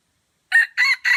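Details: Red junglefowl crowing in Aceh at Kuta Malaka during a crowing contest: one loud, clear crow in three harsh, rasping segments, a short first burst then two longer, steadier notes, with silence before it.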